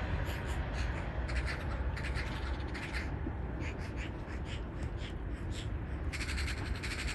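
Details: Eurasian magpies squabbling in the city of Gdańsk, Poland, in spring 2022: bursts of harsh rattling chatter come and go over a constant heavy rumble of urban traffic.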